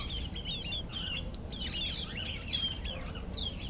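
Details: Displaying Karoo thrush trying to impress females, delivering rapid whistled slurs and twittering notes almost without pause, some clear high downslurred whistles standing out over constant low rumbling noise.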